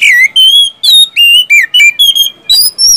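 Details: Caged oriental magpie-robin singing a lure song meant to set reluctant kept birds singing: bright, clear whistles, some sliding down and others held level, delivered in quick separate phrases.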